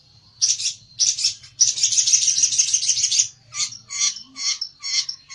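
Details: Olive-backed tailorbird singing aggressively in search of a rival: high buzzy trills, one sustained for over a second, followed by short separated buzzy bursts.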